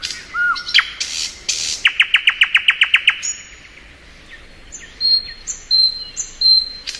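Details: Singing thrush nightingale in spring: a slurred low whistle and buzzy bursts, then a fast, hammering series of about eleven hard clicking notes, ending with high, thin whistles.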